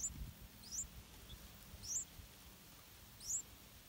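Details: Begging yellow-vented bulbul young in a nest concealed in an areca palm while parents deliver insects. Four brief, high, upward-sweeping squeaks are spaced over a few seconds against quiet background hiss.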